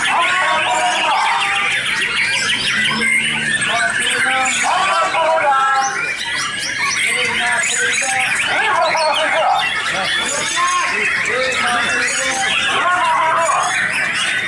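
A white-rumped shama sings rich, varied whistled and chattering phrases almost without pause, fast and dense throughout, with other bird notes blended in.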